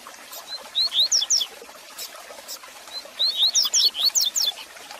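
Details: Warm-up and teaching song of a Double-collared seedeater for a caged male: two energetic phrases of rapid, high whistles that slide up and down, separated by a quiet pause with faint clicks and hiss.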